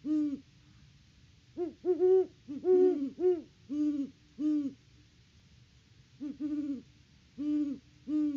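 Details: Pair of great horned owls hooting back and forth at their nest in Peabody, Kansas: about a dozen deep, hollow hoots in irregular bursts, some overlapping at slightly different pitches.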